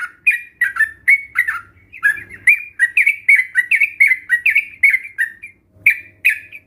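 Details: Sooty-headed bulbul lure song for stimulating a reluctant bird to sing; a steady stream of bright, slurred, bubbly notes, about three per second, with a brief pause near the end.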